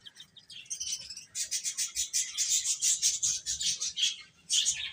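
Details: Chicks of the domestic chicken peeping: a few faint chirps, then a steady stream of quick, high, repeated peeps from many birds at once.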